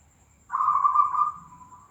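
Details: Zebra dove of the Tangguh Demak type: one smooth, even, mid-pitched cooing phrase lasting under a second, steady at first and then trailing off softly. Quiet background with a faint low hum.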